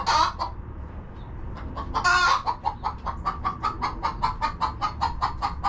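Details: Chickens relaxing in their coop on a homestead farm: a loud harsh squawk opens, then a second burst, followed by a steady run of short clucks, about two per second, over a low background rumble.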